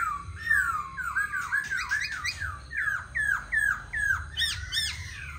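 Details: Tame caged black laughingthrush singing and dancing while set on a table, a loud run of descending whistled slurs with harsh, squawky overtones, about two to three notes per second, over a low steady background hum.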